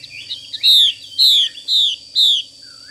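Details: Female hwamei voicing the 'xùy' call as four emphatic, raspy, downward-sweeping notes about half a second apart, ending with a faint soft whistle.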